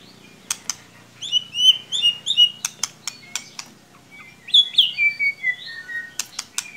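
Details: Murai batu (white-rumped shama) lure song aimed at a quiet young bird: bursts of bright looping whistles and descending slurred notes, punctuated by sharp clicks, in two lively phrases.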